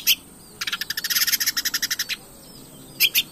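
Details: Long-tailed shrike used as a lure to provoke a captive bird into singing: a single harsh note, then a rapid run of about seventeen rasping, buzzy pulses over one and a half seconds, followed by two more sharp notes.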